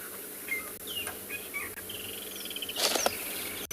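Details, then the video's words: At sunrise on 9 December in Tswalu Kalahari Reserve, South Africa, a woodland kingfisher calls in the background with a high, rapid trill lasting nearly a second. Short chirps from other birds, including a nearby drongo, come before it, and knocks and rustles follow. "You can hear the woodland kingfisher in the back, and there's a drongo that was rather curious about us."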